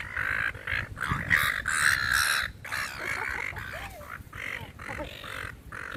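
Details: Seagulls crowd in to be fed in a park, letting out loud, rasping squeals in quick succession for two seconds, then fainter scattered cries as people chat nearby.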